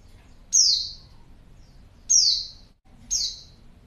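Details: A female white-eye gives calls meant to lure males into answering: three short, shrill, downslurred notes at about one-and-a-half-second intervals, clear against a quiet background.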